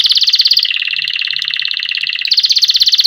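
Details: Canary singing to teach chicks: rapid, bubbling trills of evenly spaced notes that dip a little in pitch in the middle, then rise again for a brighter, faster roll at the end.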